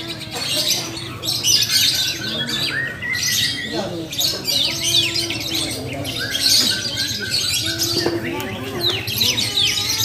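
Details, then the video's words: Lovebirds at a bird singing competition in Muara Wahau, many caged birds calling together: dense, shrill, high chattering trills and squeaky chirps in rapid bursts, with a crowd talking in the background. "LOMBA BURUNG BERKICAU " LOVEBIRD ""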